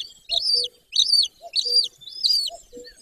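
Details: Golden eagle calling at nest number one in Bucovina, Romania, 20 May 2024, mid-morning. Four clear, high, downslurred squealing notes come at steady intervals of about 0.6 seconds, each followed by a soft low note.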